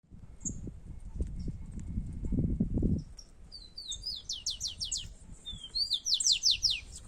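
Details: Two rufous-collared sparrows singing in competition: high, thin whistles, then a fast series of descending buzzy trills; loud rustling and handling noise fill the first three seconds.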